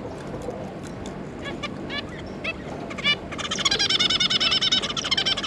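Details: Zebra finches, a pair and three juvenile young, 9 June 2022. Sparse short nasal notes give way after three seconds to a fast, continuous run of wavering, buzzy harmonic calls, many per second, over low room hum.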